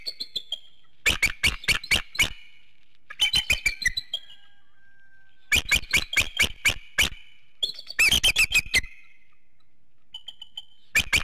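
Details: At a Hanover, Pennsylvania nest, a bald eagle calls at the 7:06 a.m. morning wake-up, recorded by infrared camera. Repeated volleys of high, clipped piping notes come in four main bursts, followed by a few softer isolated notes.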